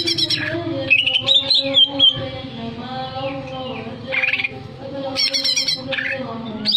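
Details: Greater green leafbird song, played to stir breeding arousal: high whistled phrases that slur up and down, harsh scratchy bursts near the start and middle, over steady low droning tones.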